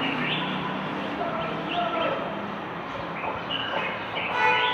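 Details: From a Marrakech balcony in mid-February 2020, a Common bulbul gives clear whistled notes in brief bursts, some rising and falling, set against busy urban noise, traffic rumble and scattered chirping of other small birds.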